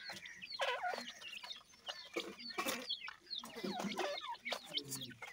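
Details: Captive-bred Deccan francolins with their chicks: many short whistled peeps sweep up and down in a busy chorus, over soft background hiss and scattered taps.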